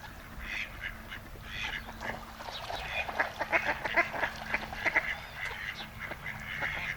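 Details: Two male mallards courting a female in breeding season at the Malecón de San Lázaro, Noia, Ría de Noia: a busy run of short nasal quacks and chattering calls, irregular, some overlapping, about one per second, with faint background hum.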